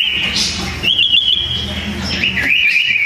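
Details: Duelling sooty-headed bulbul, voice loud and packed: a short burst of bright whistled notes that wobble, dip, then climb back into a warbled phrase.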